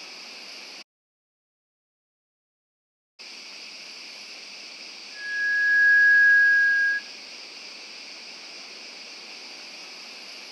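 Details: A rare Malaysian Rail-babbler in Malaysian forest gives one long, thin, pure whistle lasting nearly two seconds and rising slightly, over a steady high insect drone.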